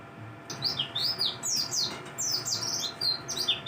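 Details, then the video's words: Mountain white-eye singing in the morning: quick jumbled sequence of high, thin, sliding whistles and twitters, rising and falling notes run together, over a steady low hum in the background. "kicauan dakbal...di pagi hari.."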